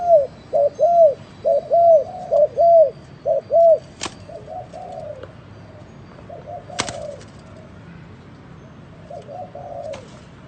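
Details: Spotted dove in an unusual cooing style: a quick series of loud, regular hollow coos over the first few seconds, then softer, slurred coos with two sharp clicks.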